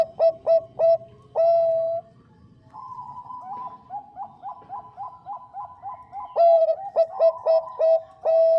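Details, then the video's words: Bangkok-type zebra dove, a female calling the male, singing clearly: loud bursts of low, rounded coos, then a long run of softer, evenly spaced bubbling notes, ending in another series of strong, ringing coos. "PERKUTUT BANGKOK GACOR SUARA JERNIH MENGUNDANG BUNYI"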